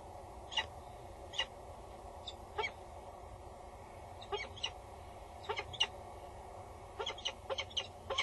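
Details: Female peregrine falcon calling loudly above the Axel Tower nest box, male nearby, morning of 22 August 2019; irregular harsh, rasping notes, sometimes paired or in short bursts, separated by pauses, over a continuous low hum.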